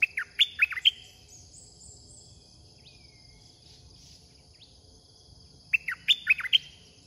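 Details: Caged red-whiskered bulbul decoy used to lure wild birds, giving short bright phrases of four quick warbled notes that open and close the clip, with a faint steady hiss and thin high tones between them.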